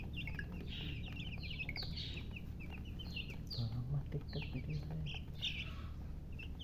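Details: Chicks said to be thirsty for water give bursts of high, quick downslurred peeps, some longer sliding cheeps, above a loud steady low hum.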